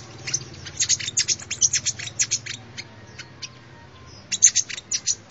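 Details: Sunbird song used as a lure recording: a rapid run of very high, thin chips and short twittering notes, pausing near the middle before a fresh burst of sharp chips at the end.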